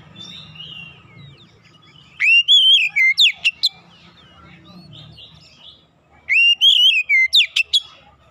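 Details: Kacer, the Oriental magpie-robin, on a recording meant to coax silent birds into song: two loud identical whistled phrases about four seconds apart, each a sweeping warble followed by quick sharp high notes. A faint low murmur comes between them.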